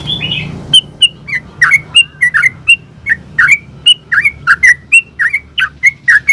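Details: Lure song of a yellow-vented bulbul in the lively 'ropel' style meant to make others answer: a long run of quick chirpy whistled notes, roughly three per second, jumping between higher and lower tones, steady and loud throughout.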